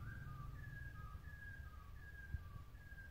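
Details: Black-throated laughingthrush singing a run of clear, level whistled notes. They alternate between two close pitches, about eight notes in three seconds, over a steady low background hum.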